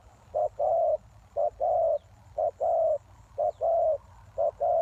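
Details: Spotted dove lure call for attracting wild doves. Evenly spaced paired coos follow one another once a second, a clipped note then a fuller, slightly falling one, against quiet background hiss.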